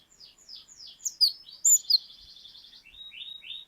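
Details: Cinereous tit (glatik batu) in full 'ngeplong' song: bright high chips, then a fast, even buzzy trill held for about a second, followed by a few rising whistled notes.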